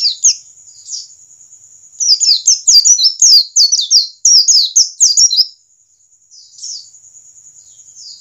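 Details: Ngalas-style white-eye song of the standard kind, played to get birds to start singing: a few scattered high chirps, then a dense three-second burst of rapid descending notes, then quiet with a thin background hiss.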